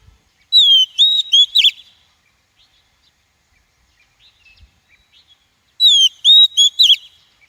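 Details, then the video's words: Lure call of a female Oriental magpie-robin for provoking and trapping wild males: a sliding whistle, a steadier whistle and a burst of harsh chattering notes, the phrase repeated after about five seconds of near silence. "Tiếng chim Chòe than mái kích bổi, luyện giọng bổi, bẫy chòe"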